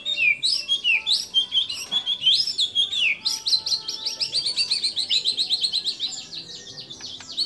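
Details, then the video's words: White-rumped shama singing a mimicry-laden song: warbled descending whistles at first, then a long, even, buzzy trill of rapidly repeated high notes that slowly fades. "Murai Batu Gacor Isian Kapas Tembak Sambung Cililin Lovebird Kenari Dll"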